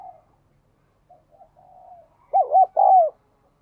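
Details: Spotted dove coo for captive birds: faint, drawn-out low notes at first, then a loud phrase of two quick arched coos and a longer falling coo near the end.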